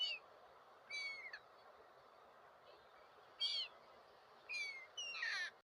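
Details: Gulls calling: five short, harsh, slurred calls that drop in pitch, some doubled, spaced unevenly over about five seconds, above a steady broad hiss of background noise.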